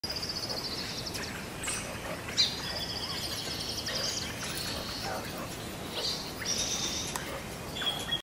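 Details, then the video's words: Australian magpies being fed give harsh, buzzy, high-pitched begging squawks in long drawn-out bursts, one after another, over a soft outdoor hiss. "Happy Magpies Fast Feeding!"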